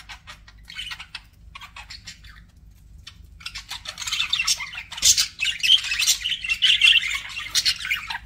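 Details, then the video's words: Budgerigars starting with sparse, soft chirps and a short silence, then breaking into louder, denser squawking chatter for the second half. "BUDGIE SOUNDS"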